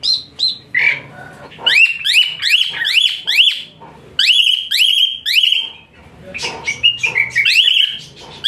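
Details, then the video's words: Harsh, piercing Asian pied starling song used to train other birds, with coarse rasping phrases and quick series of rising whistled slurs repeated in fast runs, brief pauses between bursts. "TEMBAKAN KASAR Suara Melengking Tinggi Kicau Jalak Suren Gacor"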